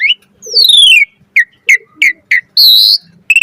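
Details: Asian pied starling in energetic gacor mompa song full of varied chatter: a long descending whistle, a string of short bright rising notes, then a harsh buzzy burst and a clipped whistle at the end.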